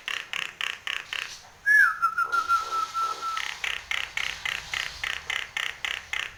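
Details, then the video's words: Nias hill myna singing vigorously with head-bobbing: a series of rapid, regularly spaced rasping pulses, then one long clear whistle that falls and holds steady, followed by more evenly repeated harsh pulses. "Suara burung Jalak Nias Gacor"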